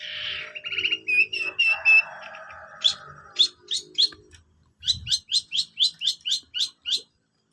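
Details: Long-tailed shrike song opening with a rough, buzzy, churring passage and grating phrases, then a steady series of crisp high chips repeated several times a second. A brief low thump is heard midway.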